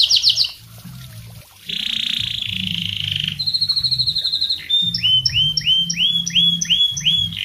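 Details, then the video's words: Canary in full song, used as a tutor for other birds: high rapid trills, a sustained buzzy rattle, a fast even chatter, then a series of upward-sweeping whistled notes repeated about three times a second. "kenari gacor buat masteran burung lain"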